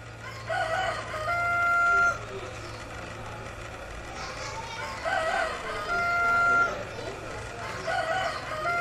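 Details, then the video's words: Heritage-breed rooster crows three times over a steady background hum and noise, each crow a brief rising burst then a held, even tone. "Crowing roosters of more than 100 heritage chicken breeds!"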